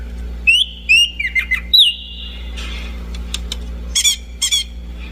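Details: Orange-banded thrush giving a few sharp upward-hooked whistles and a drawn-out level note, then scratchy chips and brief high trills, with a soft background hum.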